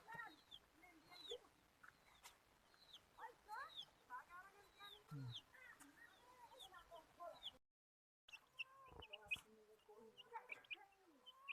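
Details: Desi hens calling in a busy flock: overlapping harmonic clucks and drawn-out, bending calls, with sharp high chirps scattered throughout, a short silent gap near the end, then more clucking and chirping.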